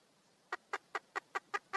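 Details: Wild red junglefowl hen calling for a mate: after a quiet start, seven soft, evenly spaced clucks about five per second over a faint background hiss.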